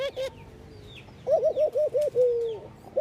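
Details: Ring-necked dove in India at morning: two short clipped notes, then a rapid stutter of five brief coos running into one long smooth low note, with faint high chirps from other birds.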